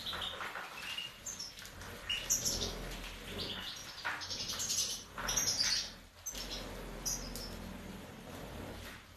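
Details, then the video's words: Goldfinch, subspecies major, 2019: scattered high twittering notes and short bright bursts come in clusters, with a continuous low hum underneath. "Carduelis Carduelis major 2019"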